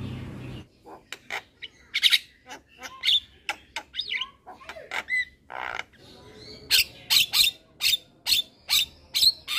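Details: Young male Javan myna, a caged bird that sings often and nods its head, recorded as a master track for training cage birds: sharp chirps and squawks, with a run of loud, evenly spaced high notes in the last three seconds.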